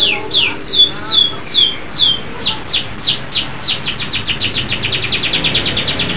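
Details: Local canary singing: loud falling whistled notes repeated about twice a second, then speeding into a rapid chain of short sweeping trills.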